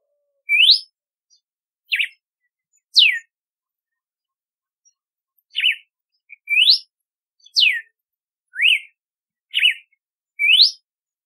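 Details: Red-cowled cardinal (Paroaria dominicana) song: clear, ringing whistled notes, some rising and some falling, delivered about once a second with short pauses; no other sounds.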